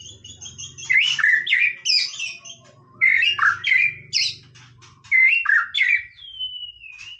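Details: White-rumped shama in relaxed song, repeating loud bursts of mixed whistles and harsh notes roughly every two seconds, ending on a long thin falling whistle, with a low hum beneath.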